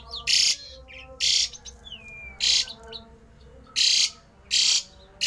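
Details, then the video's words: Javan pied starling giving a rare, unusual song meant to provoke other starlings into singing: loud harsh rasping bursts repeated about every second, with a thin falling whistle between them over a steady electrical hum. "jalak uren suara aneh langka"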